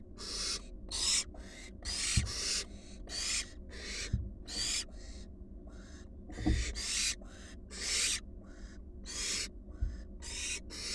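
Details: Barn owl fledglings, wild, four of them returned to a nest box, produce dense, rapid overlapping hissing screeches from several birds, with a few sharp knocks and thumps among the calls and a low hum beneath.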